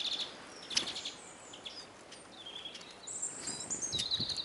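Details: Eurasian siskins crowding a bird feeder in Kolmården, Sweden, with a camera set on the ground below; high, thin calls, some flat whistles and some sliding downward, coming in a busier cluster near the end.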